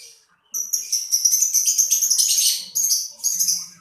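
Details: Lovebird singing a loud, continuous run of high, shrill chirps and twitters, briefly pausing before two more chirping phrases.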